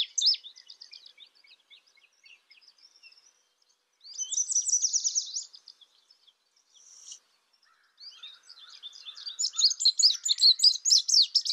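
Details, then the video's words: Indigo bunting with soft scratchy high notes, a loud rattling trill, a brief pause, then a quickening series of sharp, bright chirped notes. "Indigo bunting sound | call"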